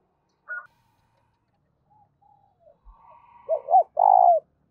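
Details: Spotted dove giving its urging and calling coo, meant to provoke wild doves quickly: faint scattered notes, then a loud closing phrase of two short arched coos and a long buzzy, falling coo.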